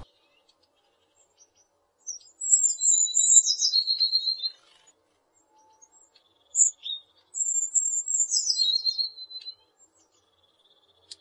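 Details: Two song phrases from a Eurasian blue tit. Each has high, thin, descending notes that run into a rapid lower trill, with a few brief single notes between the phrases and a quiet background.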